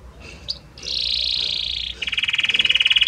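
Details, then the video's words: Belgian canary song: a soft note, then a long sustained buzzy trill shifting into a lower, rapidly pulsed rolling trill that grows louder. "Magnífico Como canta este Canário Belga!"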